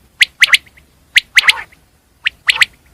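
Common quail giving its sharp three-note 'wet-my-lips' call, a clipped first note then a quick pair, repeated about once a second.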